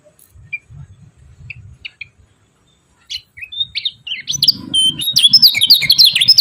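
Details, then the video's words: Kecial kuning, or yellow-vented bulbul, singing energetic 'ciak ciak' chatter to excite rivals: scattered high chips build into a fast, continuous stream of twittering chirps, with soft low thumps in the background. "CIAK CIAK JOSS KECIAL KUNING BANGKITKAN EMOSI LAWAN KECIAL SUSAH BUNYI IKUTAN GACOR"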